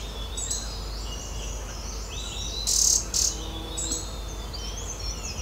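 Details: Green-backed tit parents visiting their nest-hole in the knot of an old oak tree to feed chicks, Uttarakhand Himalaya; thin, high squeaky chirps in short bursts over a steady insect-like background hiss.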